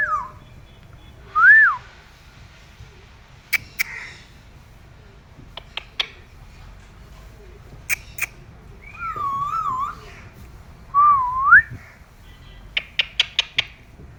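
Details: Pet parrot responding to its owners with a few short, looping whistled notes that swoop up and down, separated by pauses filled with sharp clicks and tapping.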